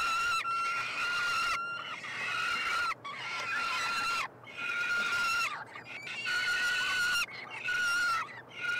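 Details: Three young peregrine falcons being fed at their nestbox on the University of Montreal campus, Canada, 21 June; loud, rasping, sustained wails, each roughly a second or more, coming in steady overlapping bouts.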